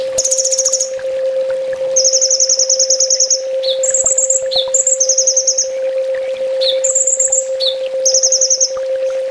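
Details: Olive-backed sunbird training song, full tembak style: long, rapid, evenly beaded high trills, repeated every second or two, broken by short sharp slurs, with a constant low hum underneath.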